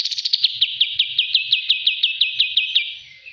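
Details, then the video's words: Bulbul used as a master recording for training, giving a steady series of bright, high, downward-slurred chirps at about three per second that fade away at the close. "master Ampuh burung kapas Tembak"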